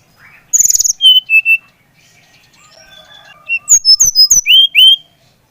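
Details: Brown-chested jungle flycatcher from Bali singing to spur another bird into song: a rapid high buzzy burst, then pure whistled notes, and after a short pause a run of sliding whistles, some rising, some falling.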